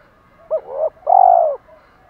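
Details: Single spotted dove phrase given as a challenge or hen call: two short rounded notes leading into one long, rolling, slightly falling coo.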